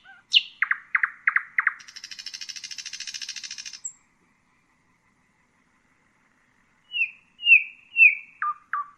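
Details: Nightingale (Luscinia megarhynchos) singing: a high note drops into quick repeated chirps, then a long even buzzy rattle; after a silence come slurred falling whistles and loud clipped notes.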